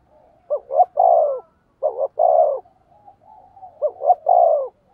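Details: Spotted dove used as a decoy, cooing to lure wild doves in Vietnam: low hollow coos in short phrases, two quick notes then a longer drawn-out coo, repeated about every three seconds, with a clean quiet background.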